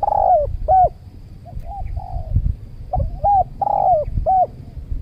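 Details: Spotted doves during a luring session with a trained decoy dove at a new site in Riau Islands, Indonesia, where a wild dove struck the decoy then fled; soft low coos, some overlapping, with short hooked notes over steady background rumble.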